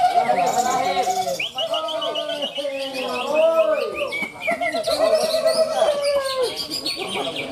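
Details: Contest greater green leafbirds singing at the Ronggolawe event in Malinau, North Kalimantan: dense stream of looping whistles, trills and chirps from several birds at once, steady background chatter of spectators.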